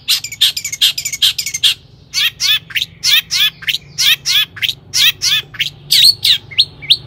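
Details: Excited Long-tailed shrike song meant as a lure for other shrikes: a rapid clicking rattle, then a steady series of squeaky, scratchy double notes, roughly one per second.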